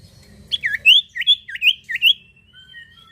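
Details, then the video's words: Common iora singing as a lure for other birds: a rapid string of five or six bright, looping whistled notes, then fading thin whistles. "sirtu atau cipoh gacor manjur buat pancing bunyi burung bahan"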